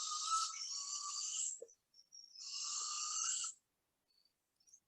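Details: Juvenile Barred Owl giving its begging screech, typically heard in summer: two long, harsh, hissing screeches, each about a second and a half, separated by a brief pause, with no other sounds.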